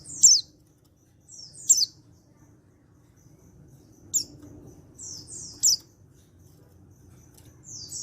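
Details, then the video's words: Untrained male white-eye in Pacitan calling so that other white-eyes answer: four bright sharp down-slurred chips spaced over several seconds, with paired falling buzzy whistles between, very quiet background. "Panggilan Burung Pleci Jantan Bahan Pacitan Ini Bisa Bikin Yang Lain Ikut Nyaut"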